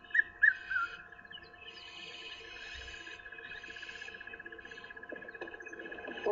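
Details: A red-chested cuckoo calling from a tree during a morning safari drive on 19 January 2015 gives three quick, loud whistled notes, the last one dropping in pitch, over a steady vehicle engine drone.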